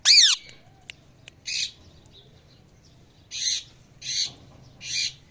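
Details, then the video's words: In the evening, a parrot gives a loud shrill shriek followed by spaced, harsh, rasping squawks repeated roughly every second. "Parrot Calling Sounds At Evening"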